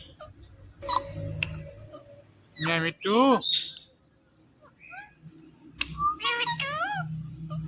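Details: Talking Indian ringneck parakeet. Strong, swooping, voice-like calls with rich harmonics come in clusters, mixed with short squeaks and chirps, against low background noise.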